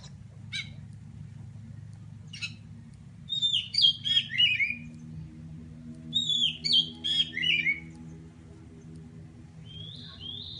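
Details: Aceh Pidie Oriental magpie-robin looking for a rival: short, lively phrases of fast twisting whistles and chirps come in two main bursts, with a few scattered notes and a constant low hum throughout.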